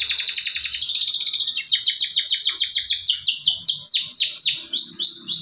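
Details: Singing male canary used as a trigger recording for canaries that have stopped singing: a rapid buzzy trill gives way to steady repeated chirps, then loud descending swept notes, all delivered without pause.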